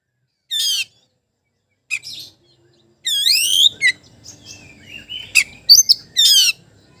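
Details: Oriental magpie-robin song challenging a rival, meant to provoke quiet magpie-robins into replying: scattered high chirps, a long rising whistle, then thin twittering and quick sharp notes over near silence.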